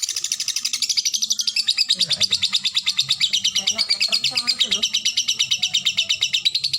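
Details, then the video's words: Lovebird chattering in the ngetik ngekek style prized in fighter birds. A dense, continuous ticking chatter of high shrill notes, roughly three per second, fills the whole stretch with no pause. "Love bird ngetik ngetik ngekek durasi jeda rapet."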